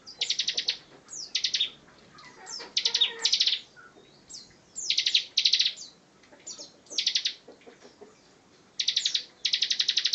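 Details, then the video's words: Bar-winged prinia in 'gacor ngebren' song: repeated short buzzy pulse trains about a second apart, alternating with sharp descending chirps, sounding insistent and rhythmic. "Ciblek Gacor Ngebren, Kicau Burung Master"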